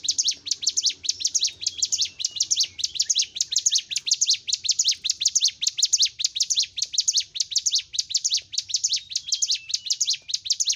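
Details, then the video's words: Steady gacor song of a bar-winged prinia, the ciblek gunung, played to train caged birds: unbroken high, clipped chirps in rapid regular bursts for over ten seconds, with a faint low hum. "Masteran CIBLEK GUNUNG (CIGUN) Gacor l Untuk M3rangsang Cigun Ombyokan Agar Cepat Fighter & Bunyi"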